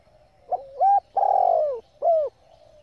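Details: A female spotted dove coos to excite males. One clear phrase has a short note, an upswept coo, a long coo dropping in pitch and a last falling note, over a faint low rumble.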